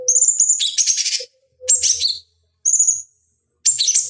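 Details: Bulbul known as cucak cungkok, recorded as training material for fighting birds: four high phrases, each a thin level whistle running into a harsh buzzy flourish, spaced about a second apart.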